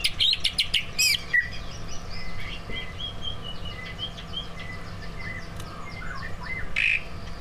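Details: Song of two prize-winning kept greater green leafbirds with learned fill-in phrases, used to stir other birds to sing: a loud burst of sharp chirps opening, then softer, fast twittering and thin whistles set against steady background noise.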